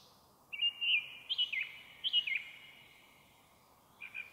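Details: Evening song of a song thrush in forest near Zarechny, 1 May 2023, recorded on an audio recorder: loud whistled phrases given in repeated pairs, followed by a quieter twittering note, with light hiss behind.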